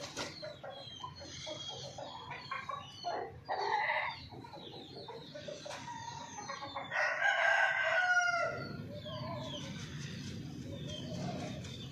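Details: Domestic hens and rooster kept at a home farm: rapid clucks repeated several times a second, a loud harsh crow around the middle, then more clucking and cackling, with low rumbling background noise and faint other birds.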